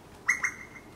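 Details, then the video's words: Four Eastern Koels: two quick, loud whistled notes, then a thin sustained high tone that fades, against a quiet background. "Four Eastern Koels"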